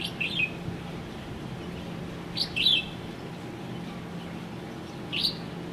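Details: Red-whiskered bulbul, an introduced species established on O'ahu, giving three short bright chirpy phrases with warbling, slurred notes about two seconds apart, over a steady low hum.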